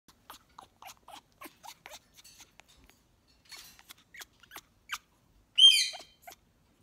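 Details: A female African grey parrot, which her owner says is acting hormonal, makes a quick run of soft clicks, chirps and muttered notes, then one loud, harsh squawk near the end.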